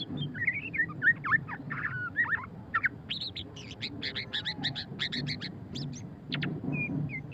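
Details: A white-rumped shama (murai batu pastol) sings ngeriwik: wavering whistles open into a dense burst of harsh, buzzy repeated notes, roughly four per second, over a low steady hum.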